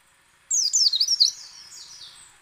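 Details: A white-eye (pleci) gives one brisk run of piercing, falling chirps, then a softer fading twitter. This is the ngecal, ngalas and nembak song style, used to get other white-eyes to open their beaks and sing.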